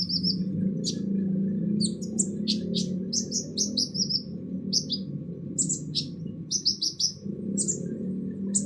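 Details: Sunbird known as kolibri ninja, harsh song used to train other songbirds: lively string of sharp, very high chips and brief slurred notes, often doubled or tripled, over strong low rumbling noise.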